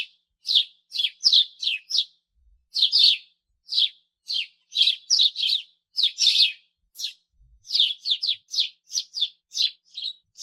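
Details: Sparrow chirping: loud, bright chirps repeated in quick bursts, often paired or in threes, with short pauses between groups and no other sounds.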